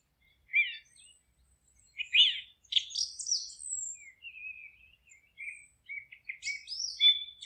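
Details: Birdsong in a forest: a sharp chirp, then a quick series of loud twittering notes, a thin drawn-out whistle, and repeated short chirps building into a lively final phrase.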